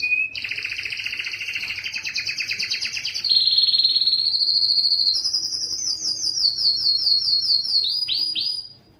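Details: Strong canary song used to push males to sing and challenge rivals: a buzzy rattling trill, then a smooth rising glide into clear sustained high whistled rolls, ending with quick downward-swept notes.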